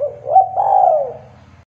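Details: A single spotted dove phrase from a local bird, meant to spur young doves into calling: a soft low note, a brief break, then a long hoarse coo that slides downward and fades, over a steady low mechanical hum.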